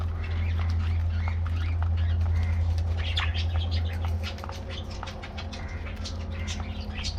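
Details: Colorful budgies in an aviary at their morning treat, chirping and warbling in quick bursts, busier in the middle, with a loud low hum easing after four seconds.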